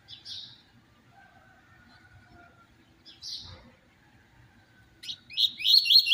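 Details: Double-collared seedeater, "tui tui zero zero" song style: two isolated high, buzzy chips separated by a long pause, then an abrupt loud outburst of rapid, bright, rising whistled notes at the end.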